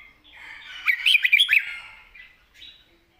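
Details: Red-whiskered bulbul giving wild-style, soft-voiced song with chatter: one rich, rapid burst of sharp, looping whistled notes swelling and fading within about a second, then a faint short phrase.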